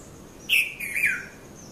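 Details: Red-vented bulbul calling at Mount Lavinia, Sri Lanka, in the 5:30–5:40 a.m. morning window: a strong short whistle, then a bubbly downslurred phrase lasting about half a second, soft high tones in the background.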